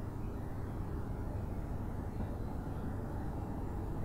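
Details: Steady low rumble of engine or aircraft noise throughout, with no animal call.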